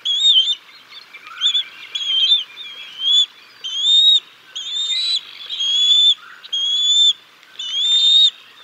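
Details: Bald eagles on the nest at Decorah North, 6 May 2022, as the father hands a fish to the chicks: high whistled calls in short bursts, roughly every second, clear and fairly even.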